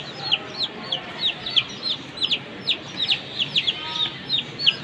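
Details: Three one-month-old chicks of a Comet hen, playing happily: high, thin, downward-slurred peeps repeated about three times a second in an uneven stream.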